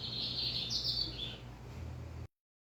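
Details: Brown lined seedeater (bigodinho pardo) sitting beneath a cage cover delivers a short, high, slightly rising twittering phrase, then stops. Constant low hum behind it.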